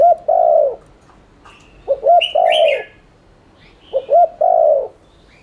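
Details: Rapid spotted dove cooing in the 'thúc liên thanh' style, meant to stimulate other doves: two low phrases of short hoots and a longer coo, with a brief higher chirping from another bird between them.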